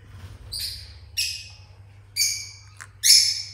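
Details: Pineapple conure chicks calling: four harsh, raspy, high-pitched bursts, each about a third of a second long, spaced roughly one second apart over a low steady hum.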